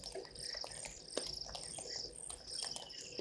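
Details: White-faced whistling ducks at Gowrie dam waterhole, Djuma Game Reserve, Sabi Sand, South Africa, at 17:52 on 02/12/2023, give a chorus of thin, high, clear whistles, overlapping every half second or so, over a steady insect hum.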